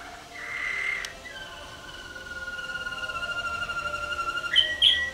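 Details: Waterslager canary singing in its contest cage at the 2011 WWC singing contest. A long, even, flute-like tone is held for several seconds. It ends with a couple of short, sharp higher notes.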